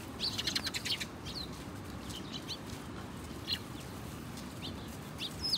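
House sparrow chirps: a quick burst of bright chirps at the start, then single scattered notes, over a steady low rumble of background noise.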